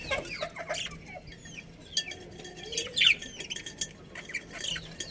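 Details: Budgerigars from a colony that includes a breeding pair: soft, overlapping chatter of short high chirps and quick warbled notes scattered throughout, mixed with frequent dry clicks and tapping sounds.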